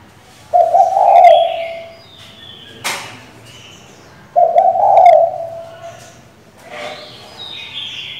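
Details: Female spotted dove calling the male to provoke a decoy bird: two short, low coos about four seconds apart, with a sharp click and higher chattering from other birds between and after them.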